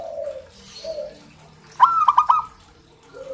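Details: A local zebra dove gives one brief rolling coo phrase of quick stuttered notes, recorded to stimulate zebra doves kept at home to start singing. Faint lower coos come before and after it.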